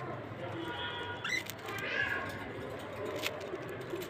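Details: A cockatiel eating gives a steady, harmonic-rich note, then a quick upward-sliding chirp and softer warbles.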